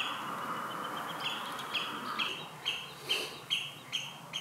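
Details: Common redshank adult with chicks at Marshside RSPB Reserve, Southport, Lancashire, mid-July 2018; a quickening series of clipped, high piping notes, about two per second, grows louder toward the end over constant low rushing noise.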